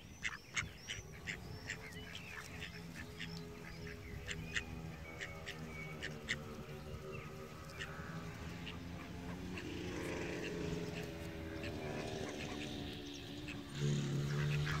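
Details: Domestic ducks (Anas platyrhynchos domesticus) quack in harsh, nasal bursts that grow louder and more continuous toward the end.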